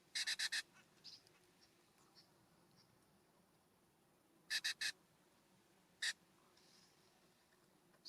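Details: Harsh rasping calls of California scrub-jays visiting a ground feeder on a warm September morning, heard as a burst of four rapid notes, a later triplet and a single note, separated by near silence with faint softer chirps.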